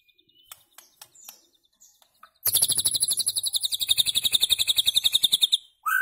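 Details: Song of a white-rumped shama, recorded to teach goldfinches and goldfinch hybrids rare notes. Scattered faint ticks open into a long, fast, even trill of high, sizzling notes, about five per second, that holds steady for roughly three seconds.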